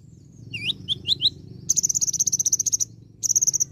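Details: Olive-backed sunbird in full varied song with imitations: four quick rising whistled notes lead into a long, fast, high-pitched metallic trill, then a shorter trill follows.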